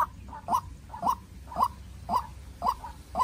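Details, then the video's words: Farm-raised White-breasted waterhen used as a decoy against a wild rival: steady run of short mid-pitched calls, each with a faint echo note, about two per second. "Quốc Mồi Tơ Ra Trận Gặp Bổi Rừng Đấu Cực Căng"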